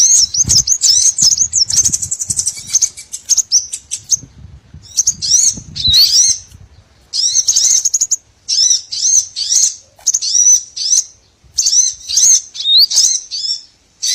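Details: Trapping lure of small birds' calls: repeated bursts of very high, sibilant twittering and swept squeaks, each burst one to two seconds long, separated by short pauses, with faint low thumps early on.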